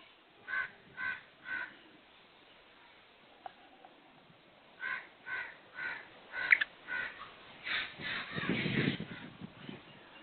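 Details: Black francolin, known locally as kala teetar, giving harsh grating calls: three evenly spaced rasping notes, a pause, then a further run of five or six scratchy notes ending in a rougher, noisier burst.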